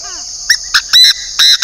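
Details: Chinese francolin used as a decoy bird, northern Vietnam, uttering a forceful rasping phrase: two short notes, then long harsh ringing notes, over a steady shrill insect drone.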